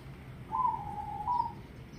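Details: Actively singing local zebra dove delivering one coo phrase: a bright opening note followed by a smooth, slightly falling rolled trill and a second brighter burst at the end, all mid-pitched. Quiet low background noise.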